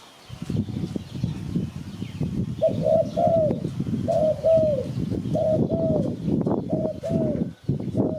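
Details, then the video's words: A spotted dove recording played to lure birds for catching: a run of soft hooting coos, each gently falling, repeated about once a second over steady rattling background noise. "Sound Spotted Dove Malay"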